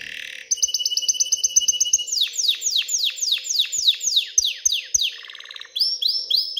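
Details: Excited canary song for prompting hens to pair and build a nest: a rapid even trill of high notes, then loud descending sweeping whistles in a regular series, a short low buzzy trill, and rising notes.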